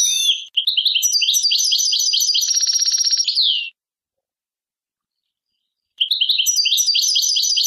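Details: European goldfinch singing a fast, tinkling run of twittering notes, then a brief buzzy trill, breaking off into silence before another liquid twittering phrase begins; clean recording with no other sounds.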